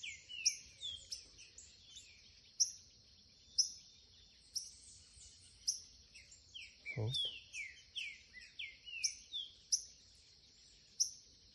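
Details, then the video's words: Young green-winged saltator singing in the curricutil style: a steady run of short, bright, downslurred chirps, many per second, over a thin high hum, with one low thump near the middle. "TRINCA-FERRO curricutil FILHOTÃO"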